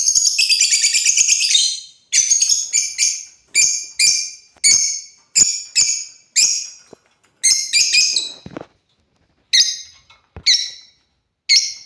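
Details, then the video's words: Pet African lovebirds playing: an opening run of rapid harsh chatter, then steady shrill, buzzy chirps repeated about every half second, with a few brief pauses. "Love Birds #playing"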